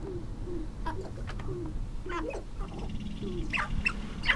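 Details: Male sharp-tailed grouse at a North Dakota lek on Arrowwood National Wildlife Refuge, cold wet April dawn, breeding season; low hollow cooing hoots repeated in short bursts, mixed with higher squeals and clucks near the end.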